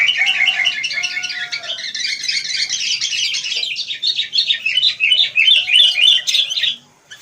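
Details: Several wild sooty-headed bulbuls chatter noisily together, producing an unbroken stream of fast, overlapping squeaky chirps and twitters that grows brighter and more excited toward the end.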